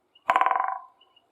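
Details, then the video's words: Woodpecker in spring drumming its beak on a dry, resonant tree branch in the forest: a single rapid roll of about a dozen hollow, ringing knocks lasting half a second, loud at first and fading away, followed by silence. "The woodpecker chooses a branch that makes a pleasant sound and knocks on the tree"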